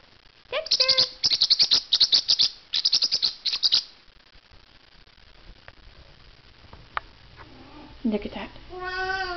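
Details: A male blue Pacific parrotlet, very protective of his cage, gives rapid bursts of harsh, high chirps in quick clusters for about three seconds, followed by quiet and a person talking.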